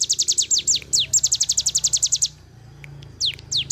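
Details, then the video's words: Cigun bird in rapid 'nembak' song, recorded to train other birds: dense bursts of high, falling notes, a short gap, then a couple of swept whistles, over a low hum. "intip cigun nembak nembak cocok buat masteran"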